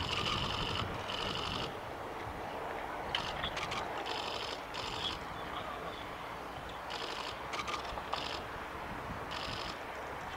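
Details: Oriental greenfinch at Kawaguchiko Field Center, Japan, on 20 April 2019, giving short, buzzy, twittering bursts, each under a second and a few seconds apart, over a steady rushing background hum.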